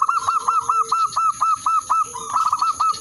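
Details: Zebra dove used as a lure bird, calling out a rival and stirring breeding mood; a rapid run of short, hooked cooing notes, about two per second, over a fainter drawn-out lower tone, with a steady high electronic whine.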